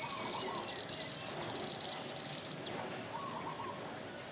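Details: Asian palm swifts nesting on a toddy palm leaf in a northeastern Thailand village give shrill, high-pitched trilling twitters in rapid overlapping runs, fading after a few seconds, with a softer lower warble and faint rural background noise.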